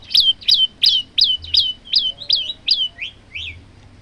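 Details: A male olive-backed tailorbird gives a fast run of about ten loud, sharp, high chirps, roughly three per second, ending in two softer rising notes.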